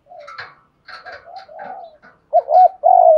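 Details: Decoy spotted dove calling to attract other doves. Soft, faint mixed murmurs open the clip, then a loud coo phrase follows: a doubled hooked note and a long, smooth, slightly descending final coo.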